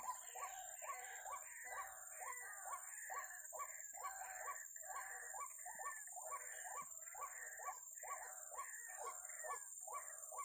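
White-breasted waterhen giving hoarse, croaking notes about twice a second in a steady rhythm, over a thin, constant high-pitched whine.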